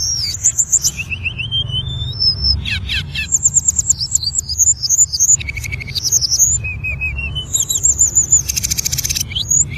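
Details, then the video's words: Hill blue flycatcher (tledekan) song used as a master recording for training cage birds: a rapid, varied run of high clear whistles, falling slurs and short buzzy trills, barely pausing, over a steady low hum. "MASTERAN SUARA BURUNG TLEDEKAN"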